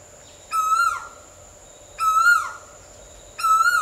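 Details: Loud, clear Asian koel calls: rising whistled notes that swell and then drop away, repeated about every 1.5 seconds, three in a row over a faint steady background hum.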